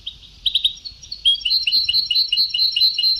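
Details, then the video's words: European goldfinch song in the Sebti (Ceuta) style from an old tape recording: a rapid, bright twittering of high clipped notes and short trills, starting with a brief triple chirp, then a dense run of repeated liquid notes over steady tape hiss. "Canto del jilguero antiguo شريط تغريد سبتاوي قدييييييم"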